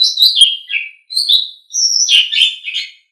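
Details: Asian pied starling used as a training song for songbirds: three clean phrases of slurred whistles and chattering notes, falling in pitch within each phrase, separated by brief pauses, with no background sound.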